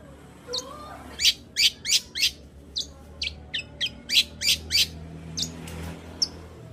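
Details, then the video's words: Long-tailed shrike in full singing form, played as a lure to rouse a reluctant shrike into song: a burst of short, harsh, high chattering notes, irregular and tightly bunched, with a few sparse notes before and after and a faint low hum. "Pancingan Cendet Gacor Untuk Menaikkan Birahi cendet Malas Bunyi"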